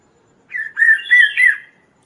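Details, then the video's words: Kaso-kaso bird singing a lively song used as training material and as a lure for other birds: a short phrase of four warbled, slurred notes, each rising and falling, in a quiet background. "suara Burung Kaso-Kaso gacor|| masteran dan raja pikat burung lain"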